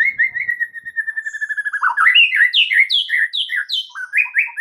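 White-rumped shama singing: a long, even stream of rapid high chips, then varied rich whistled phrases, rising and falling, some buzzy, in quick succession.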